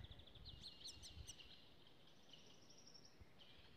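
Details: Birds singing in a country house garden plot. Quick series of thin, high chirps and short downslurred notes, several in the first second and a half, then a softer run of rapid ticks, over low rumbling background noise.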